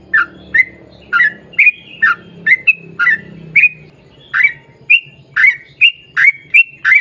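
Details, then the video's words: Yellow-vented bulbul singing frequently in a long rolling song: bubbly, liquid phrases repeated about twice a second, each dropping then rising in pitch, over a faint low background hum. "KICAU SUARA trucukan gacor ROPEL PANJANG"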